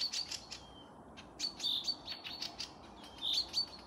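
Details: Forest birds singing near the village of Panika, Torzhok district, Tver region, Russia, recorded 12 May 2024: high thin whistles and quick chirps overlap, with a longer steady whistled note near the middle and sharp clicks throughout.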